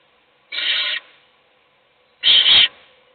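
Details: Owl feeding a single chick inside a nest box while other chicks sleep; two rough, rasping hisses about a second and a half apart, the second louder and slightly wavering, with silence around them.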